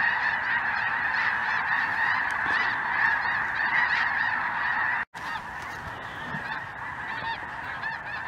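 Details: A large flock of snow geese, with some greater white-fronted geese and probably a Ross's goose or two, filling the sky over southern Indiana on a chilly afternoon, 23 January 2023, gives a dense, continuous roar of nasal honks and yelps.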